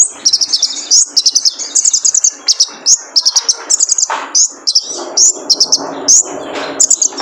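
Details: Male kolibri ninja sunbird, played as a lure to train cage birds to sing: rapid, high, thin chirps in tight bursts of three to five notes, repeated without pause, with faint low rustling beneath.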